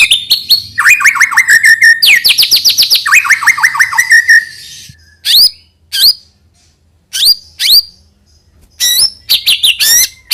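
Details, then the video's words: White-rumped shama song, used to lure young birds into singing: a rapid run of swooping whistles and clicks for several seconds, then isolated sharp high notes with quiet gaps between. "suara burung MURAI BATU UNTUK MEMANCING MB BAHAN AGAR RAJIN BUNYI DAN GACOOR |SHAMA BIRD"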